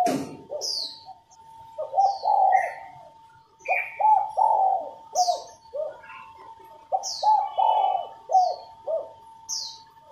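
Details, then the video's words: Female spotted dove gives a series of low, hollow cooing phrases to stimulate male song, over a steady hum, with frequent high descending chirps from another bird throughout. "Cu mái gáy kích bổi nhanh nổi, kích trống gù khách, luyện giọng cu gáy mồi"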